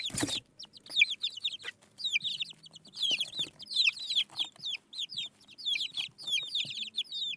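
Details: Baby chicks peeping in a group, many high, shrill, rapidly repeated peeps overlapping almost without pause, with a brief loud thump at the start and soft rustling below.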